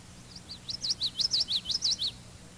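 A Common Yellowthroat sings fast, high, connected phrases repeated several times in quick succession, giving a rolling, witchity-witchity rhythm over faint background hum.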